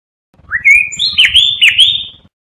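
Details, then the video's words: Blue mockingbird giving a long clear whistle that rises, then wavers with several quick downward dips before fading, about two seconds; soft low rumble behind. "Mulato Azul Canto - Blue Mockingbird Bird Song - Melanotis Caerulescens"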